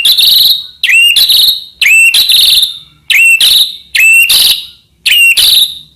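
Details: White-rumped shama singing as a master for training other shamas: loud high whistles, each with a hooked rising note, repeated about once per second in bursts.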